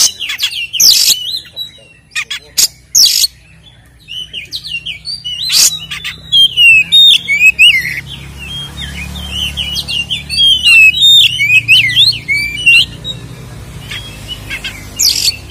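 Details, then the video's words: White-rumped shama in energetic fighting song played as a lure to make other shamas agitated: scattered sharp clicks and rasps, then a long rapid run of varied whistled and warbled notes, with a low hum throughout. "SUARA BURUNG Kacer gacor isian NGEPLONG TARUNG ini paling AMPUH buat PANCINGAN KACER agar EMOSI"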